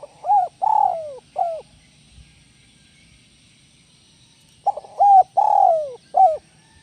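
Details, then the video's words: Spotted dove repeating a 'kuk 1 melambung' style song twice, about four seconds apart. Each phrase has short notes, a long wavering coo that falls, and an emphatic final coo. Faint low rumble underneath. "SUARA BURUNG TEKUKUR"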